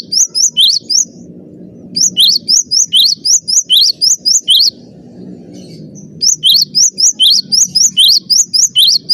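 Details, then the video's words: Cinereous tit master song for bird training: several bursts of high, clipped, rising whistles repeated at a brisk pace of about four per second, separated by brief pauses with a soft low background murmur. "master suara burung gelatik batu gacor"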